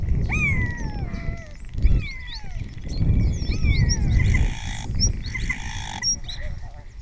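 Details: ['Wild spotless starling in Cabañeros National Park singing near the camera, its repertoire including mimicry of orioles and kites. Long clear whistles slide downward, repeated about once a second, with scratchy high notes after and a low background rumble.']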